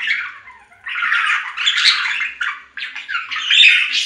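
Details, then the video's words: Budgerigar giving loud, harsh warbling chatter: a brief soft call, then long scratchy squawking phrases broken by one short pause and a bright, high burst at the end. "3 Hour Budgie Sounds for Lonely Budgies"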